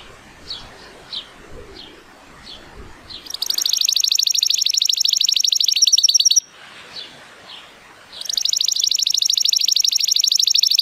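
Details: Timbrado Español canary, male, born 2018 and rated 83 points, on a sunny day: faint scattered chirps, then two bursts of very high, rapid, ringing trills separated by a quiet pause.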